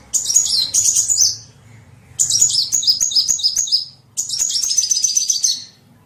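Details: Calls of a small bird used to lure others: three high, tumbling twittering phrases, each about one and a half seconds long, with short silences between and a faint low rumble.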